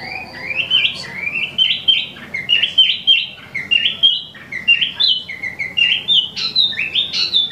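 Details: Wambi mini, an imported cage bird also named Tieu Mi, singing without pause: quick, looping whistled notes that rise and fall in a steady stream, about two per second, over a faint low hum.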